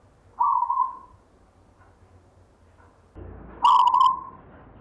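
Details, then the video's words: Local wild-type perkutut, or zebra dove, kept from a grandfather and singing gayer style: two coo phrases about three seconds apart, the second with a bright opening burst over a sudden rise in low background noise. "perkutut LOKAL alam GAYER tinggalan SIMBAH suara irama"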